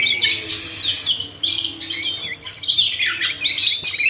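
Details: Male and female oriental magpie-robins singing in a chorus for caged bird therapy, mixing harsh scratchy bursts with sliding whistles and short chirps, in uneven phrases with small pauses.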